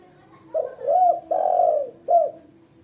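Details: Lively female spotted dove used as a lure and as a song model for beginners. Its single mellow phrase has a short opening note, two long full coos and a clipped closing note, against near silence.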